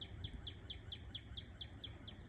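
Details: Northern cardinal (Cardinalis cardinalis) sings a quick series of about ten clear, high, slurred notes, four per second, in a western Maryland swamp wetland on a warm early March 4 morning, over a low background rumble.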